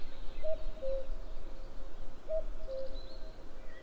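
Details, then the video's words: Two falling two-note calls of a common cuckoo, 11 May 2022, the higher first note followed by a lower sustained one, separated by under two seconds; faint higher bird twitters and low background hum underneath. "Cuckoo calls"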